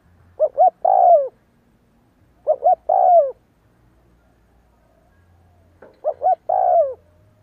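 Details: Decoy spotted dove calling in a regular pattern: three coo phrases roughly two seconds apart, each two brief notes then a drawn-out coo that slides downward.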